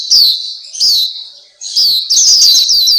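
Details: Black-capped white-eye tutor song: a few thin, high descending whistles, a short silence, then a fast tumbling run of bright sliding notes.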